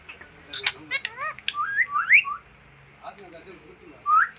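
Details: Talking green parrot uttering a string of short squawks followed by rising whistled notes, pausing, then ending on one loud upswept whistle; constant low hum behind.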